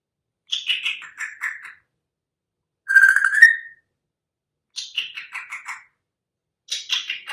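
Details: A one-year-old pet African grey parrot, recently rehomed, mimicking sounds: groups of descending chirpy notes alternate with a steady rising whistle, four bursts separated by short pauses indoors.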